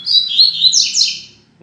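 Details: Rusty-collared Seedeater (coleiro) sings a quick run of high, sweeping whistled notes that slur up and down, lasting just over a second, answering another singing from behind while out in the room for sun after a management change.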